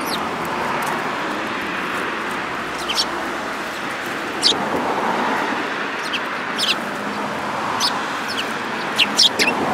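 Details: Sparrows, one yellow-beaked, on 29 January 2018, chirping sporadically with single sharp notes every second or two and a tight pair near the end, set against loud steady background noise.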